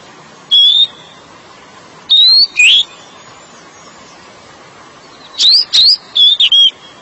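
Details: Oriental magpie-robin (kacer) song used as therapy to get stressed birds singing: separate clear whistled phrases, some sliding upward, others short and trilled, in bursts with quiet gaps between.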